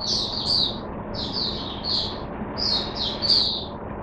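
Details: Kept Oriental white-eye starting up its song, recorded 5 May 2022: clustered high twittering phrases in three groups, set against steady low background noise.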